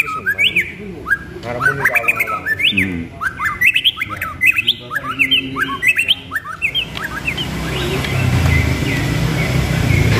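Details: Competition-prospect White-rumped shama, a murai batu pastol, pours out a long varied song of sharp whistled slurs, clicks and chattering notes for about seven seconds, before rumbling noise takes over.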